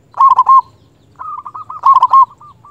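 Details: Local zebra dove singing emotionally to provoke a rival: a loud trilled coo phrase, a pause, then a softer beaded run leading into another strong rolling burst and trailing notes.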